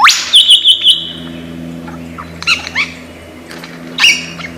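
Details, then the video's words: Lyrebird, a bird of Australian forests famed for copying sounds: a quick bright trill of repeated chirps at the start, then scattered short whistles and chips over quiet background. "Lyre Bird Burung 1001 Suara"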